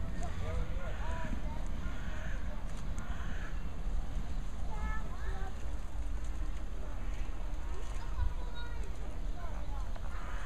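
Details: A flock of flamingos (greater and American flamingos present) gabbles in short, nasal, goose-like honks that overlap constantly, over a heavy low rumble of wind or distant traffic.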